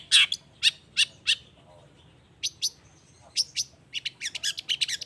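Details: Four evenly spaced harsh notes open this long-tailed shrike song, used to draw replies from other shrikes. After a short pause come sparse high chips, then a fast burst of buzzy chatter.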